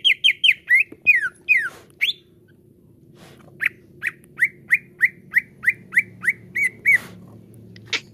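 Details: Lure song of the greater green leafbird (cucak ijo) used to make caged birds sing: fast descending whistles, a short gap, then steady sharp notes about three per second, ending with a high rising note.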